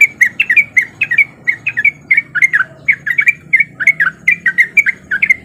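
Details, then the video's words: Sooty-headed bulbul in lively, gacor singing, used as a lure to prompt lazy bulbuls to join in: fast bursts of short, bubbly, slurred notes, tightly repeated in rapid ropel-style chatter with brief gaps, over faint low background hum. "Pancingan Trucuk Gacor Biar Trucuk yang Malas Bunyi jadi Ikutan Bunyi"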